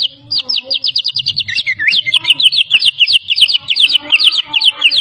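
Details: Champion white-rumped shama from Medan, a competition bird mimicking many species, pouring out a fast continuous string of sharp repeated chirps, about three per second.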